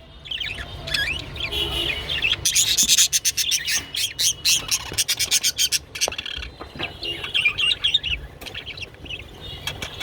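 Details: Japanese budgerigar heard while mating: fast scratchy chatter and clicking, rising into a dense run of rapid harsh pulses midway, then softer warbles, over a low background hum.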